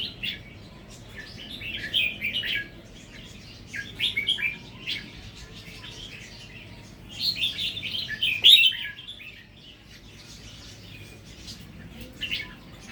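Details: Wild red-whiskered bulbul of a natural line, starting to add doubled phrases; clusters of quick bubbling chirped notes come in three or four bursts separated by pauses.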